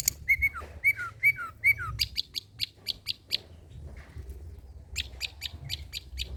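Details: Long-tailed shrike performing old-style material for tutoring birds: four downward-slurred whistles, then sharp clicking notes repeated about twice a second, a brief gap and more clicks.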